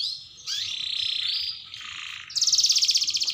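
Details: Panda-marked canary in full long rolling song: sustained churring rolls that shift between pitch levels, a lower dip, then a bright rapid pulsing trill. Quiet low background noise throughout.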